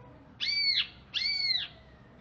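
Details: ['Two loud arched whistles, each rising then falling with a ringing overtone, from a caged greater green leafbird out of Alas Purwo, Banyuwangi, singing after its bath.']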